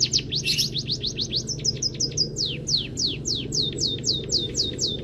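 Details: Master training song of a white-headed munia with full canary filling: fast runs of high whistled downslurs, a brief harsh burst early on, then evenly spaced falling notes at a steady pace, with low background hum throughout.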